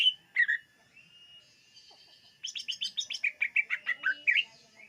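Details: Greater green leafbird song intended for attracting birds: two whistled notes, a brief quiet gap, then a rapid rhythmic series of about a dozen chirped whistles rising and falling in pitch.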